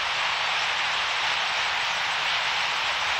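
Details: Steady broadband hiss like a passing aircraft or engine noise, with no animal calls.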